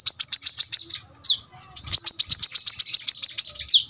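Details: Brown-throated sunbird, known locally as kolibri kelapa. Six quick piercing notes come first, then a single descending slur and a longer run of rapid, sharp, high chips that ends with another downslur.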